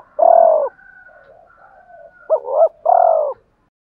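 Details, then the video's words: A male spotted dove coos to incite fighting and call a mate: a long sustained hoot, a stretch of soft low humming, then a quick two-part note followed by another long, slightly falling coo. "tiếng cu gáy mồi thúc đấu và gáy gọi hậu hai"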